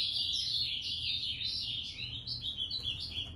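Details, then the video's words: Ultramarine grosbeak singing in the moicano style: a fast, continuous warble of short slurred notes rising and falling in a high band, with a soft low hum beneath. "Azulão moicano"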